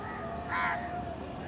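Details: A single harsh, nasal caw from an Indian house crow among a village flock feeding and fighting for food, set against steady outdoor background noise.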